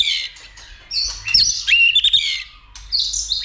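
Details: White-rumped shama urged into song and fighting display, tail flicking: high, bright twittering phrases with quick slurred whistles and rapid chips in short bursts.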